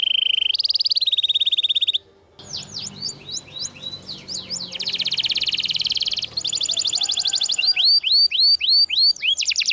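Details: Vigorous canary masteran song for restarting silent birds: two stepped steady high trills, a brief pause, then looping upward-curling whistles, a dense buzzing trill and fast repeated hooked whistles, with faint low background rumble.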